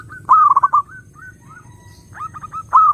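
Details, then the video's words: Lure song of a zebra dove meant to attract other doves: a loud stuttering run of soft cooing notes opens and closes the stretch, with quieter single coos and a fainter repeated phrase between them. "SUARA BURUNG PERKUTUT _JERNIH_💯AMPUH_SEKALI PUTAR SEMUA PERKUTUT LANGSUNG NYAMBER"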